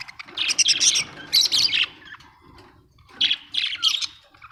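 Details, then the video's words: Bright chattering from Australian budgies, with two dense runs of high, grating chirps, a short lull, then more warbled tweets over a faint low hum. "Australian budgie parrots l birds chirping sound"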